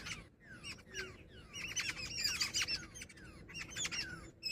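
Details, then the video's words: Jungle babblers, including a female, chatter in harsh, squeaky bursts, several birds overlapping in rapid downslurred squeals and scratchy notes over a faint low hum. "Jungle babbler sound effect | babbler bird Sound"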